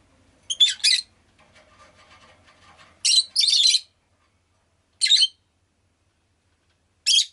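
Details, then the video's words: Rosy-faced lovebird kept indoors uttering loud rasping double chirps, a soft rattling murmur, then a longer burst of harsh chirps and two single sharp calls spaced about two seconds apart. "Lovebird Chirping Sounds"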